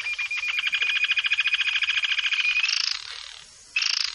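A Yellow-billed jacamar gives a high, rapid string of thin notes, nearly three per second, running together into a trill. It pauses briefly, then starts again.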